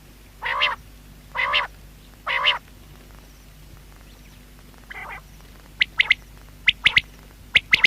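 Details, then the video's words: Quail (batair) sounds: three harsh, nasal buzzy notes about a second apart, a pause, then sharp high whistled notes in short doubled and tripled bursts. "Batair sound | Quail voice"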